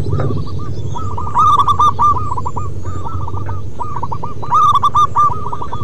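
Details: Zebra dove, local wild type, singing persistently. Phrase after phrase of rapid, hooked cooing notes, with two louder bursts among fainter overlapping birds over a steady low rumble.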